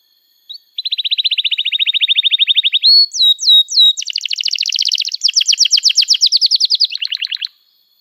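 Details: Energetic canary song meant to teach young canaries: a brief chirp, a long even trill, a few swooping whistled slurs, then loud rolling and buzzy notes and a lower rattle before stopping.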